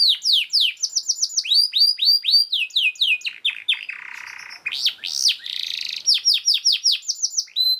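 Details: Master song of a canary for training other birds to sing, delivered fast and dense: strings of falling whistled sweeps, a mid-pitched buzzy trill, then more rapid repeated sweeps.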